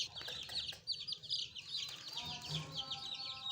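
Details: Young chicks peep busily, their shrill downslurred chirps overlapping, along with a brief low thump and a faint hum near the end.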